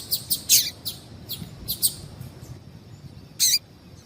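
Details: Female double-collared seedeater call, played to warm up males for song contests: a string of brisk high chips in the first two seconds, then a pause and one longer, louder note.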